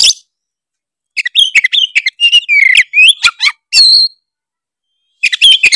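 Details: Tretes oriental magpie-robin in full song, meant to provoke other birds into singing: a brief opening note, a pause, then rapid bursts of clear whistles, slurred phrases and high sharp notes, with a final burst after another pause.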